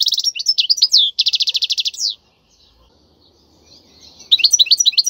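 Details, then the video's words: European goldfinch song for tutoring young birds: quick slurred notes leading into an even, buzzy trill, a two-second silence, then twittering resumes. "تغريد الحسون البري لتدريب الفراخ"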